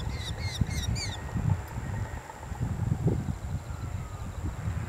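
A Eurasian hobby gives a quick run of four sharp, ringing kew notes in about a second, then falls silent against steady wind rumble.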